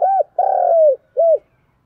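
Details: Spotted dove, a Vietnamese decoy bird, giving a fight-provoking coo: a short arched note, then a long, steady, slightly falling coo and a final short arched note, all low and mellow against a silent background.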